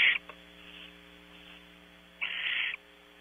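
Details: Before dawn at a California ranch barn owl nest, as the male brings prey: one clear harsh hissing screech near the end after fainter ones, over a steady electrical hum.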